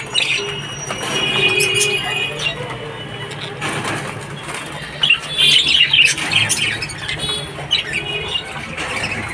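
Budgerigars chatter in rapid, scratchy chirps and warbles, with faint background music.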